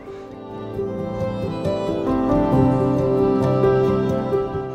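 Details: Gentle, slow instrumental music with sustained tones swells and fades, and no animal calls are heard.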